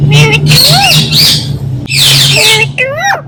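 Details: Indian ringneck talking parrot producing speech-like harmonic phrases: a rising-falling warble, then a louder burst near the middle, and a final set of sliding notes, over a steady low hum.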